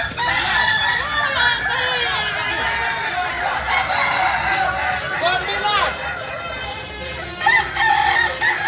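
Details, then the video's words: Kukuak Balenggek roosters, native to Solok in West Sumatra, crowing over one another. Their long warbling crows run on without a break, and a few louder bursts stand out near the end. "Ayam kukuak balenggek ayam asli solok sumbar"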